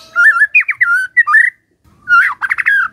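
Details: White-rumped shama in song, rich fluty whistles wavering up and down in a short phrase, a brief gap, then a burst of rapid buzzy rising notes.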